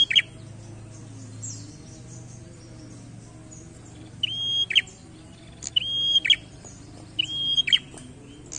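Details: Prinia giving a lively challenging song: after a quiet start, three phrases about every 1.5 seconds, each a sharp click into a steady high whistle ending in a harsh buzzy burst, over a low background hum.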